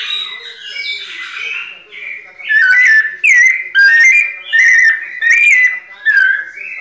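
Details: White-necked thrush singing in the 'pianado' style. About two seconds of a person talking come first, then a run of loud, clear whistled phrases, each slurred up and down, repeating roughly every 0.7 seconds.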